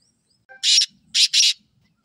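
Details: Black francolin calling, a grating phrase of three loud, harsh, buzzy notes: one short burst, a brief pause, then a rapid pair. Faint low rustling sits underneath.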